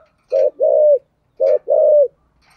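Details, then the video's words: Spotted dove cooing in the style called giọng thổ: two phrases, each a short low coo followed by a longer sustained coo, with the pair repeated after about a second in a quiet setting. "chim cu gáy giọng thổ"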